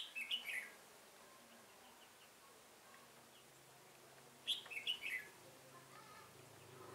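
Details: Red-whiskered bulbul used as a decoy during trapping on 15 September 2018, with drooping wings and a fanned tail: two short, bright, warbled phrases about four seconds apart over a quiet hiss.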